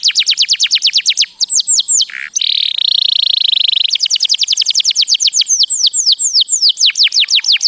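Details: Canary mating song: long series of fast falling whistled notes, a brief nasal note, then a steady buzzy rolled trill lasting over a second, returning to rapid repeated descending whistles.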